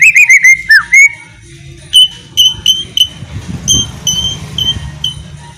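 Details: Ngeriwik song of a white-rumped shama, a lure recording: a quick burst of descending whistles at the start, followed by sparse, thin high whistled notes spaced about half a second apart over a soft background hiss.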